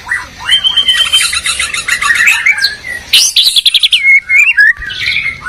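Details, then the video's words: Song contest between two white-rumped shamas, a Medan bird against a Borneo bird: fast rattling trills and high chattering first, then separate whistled slurs and sharp chips. "Murai batu gacor medan vs borneo duel dahsyat"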